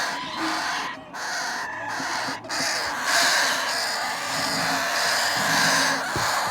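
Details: Noisy begging from parrot chicks during hand feeding: a harsh, hissing, pulsed chatter, interrupted by short gaps near one and two and a half seconds, then swelling steadily louder.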